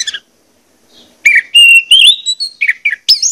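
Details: Orange-headed thrush song played to prompt singing: a short slur, a pause, then a sustained rising whistle, chattery notes and a sharp high flourish.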